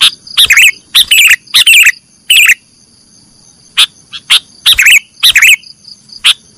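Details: Sooty-headed bulbul, nggaruda style, meant for training caged birds: separate bursts of bright, chattery notes roughly every half second, thinning into sparser single chirps against a quiet background with a thin steady whine.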